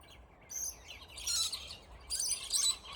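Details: Scaly-breasted lorikeets fighting in a territorial squabble; two bursts of shrill, harsh screeching, a short one near the start and a longer, louder outburst later, with a brief quieter gap between.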